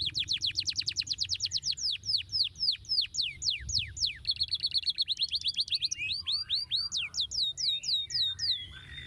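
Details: {'caption': 'Energetic canary song meant to prompt an idle canary to reply: fast series of high descending whistles, then a buzzy rattling trill and more sweeping notes, ending in softer scattered chirps.'}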